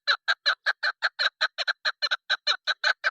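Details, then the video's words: Calling female chukar partridge, a sound used for hunting: loud, harsh, clucking notes repeated quickly and almost evenly, some paired, nearly three per second throughout. "Madi Chakor Awaz Female Hunter Soundصدای شکاری مادی چکور کبک"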